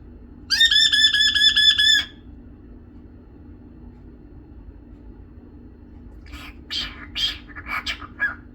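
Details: Young pet cockatiel talking and singing: a rapid pulsed, harmonic warble, then a string of short chattering, speech-like bursts.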